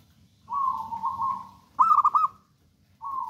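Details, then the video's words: Wild local zebra dove: a long, steady trilled coo, a loud stuttering bubbly phrase, then the start of another trilled coo. "PERKUTUT LOKAL ALAM GACOR"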